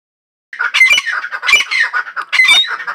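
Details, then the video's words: A female grey francolin gives harsh, grating squawks in a continuous run, with louder bursts about once a second after a brief silence. "Teetar k awaaz| female teetar sound"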